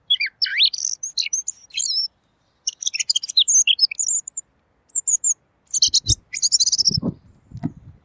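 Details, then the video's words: Robin with a clear voice in a recording meant to tutor songbirds: a dense stream of rising whistles, high chirps and rattling trills, ending with muffled low thumps. "masteran burung Robin!! suaranya jernih"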